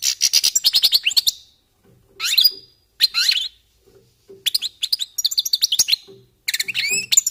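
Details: Goldfinches warming up, delivering rapid liquid twittering phrases with repeated chirps and buzzy slurs, in bursts of about a second broken by brief silences and faint low clicks.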